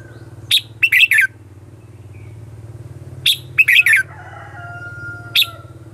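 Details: Red-whiskered bulbul lure song in the 'ché chéc' fighting style for attracting wild birds: two short bursts of sharp, chattering notes three seconds apart, then a lone clipped note, above a low background hum.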